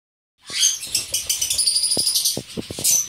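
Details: A breeding group of Fischer's lovebirds (Agapornis fischeri) in mixed violet and blue colour mutations chatter in a dense, shrill, high jumble of squeaks and screeches, with soft knocking and rattling underneath.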